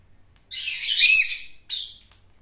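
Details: Bird flock call: one long, loud, rasping burst lasting about a second, then a shorter harsh note.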